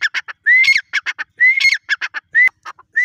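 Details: Grey francolin, locally called Irani dakhni teetar: loud, clear rising whistles alternate with bursts of short harsh notes, about one phrase per second, with no other sounds.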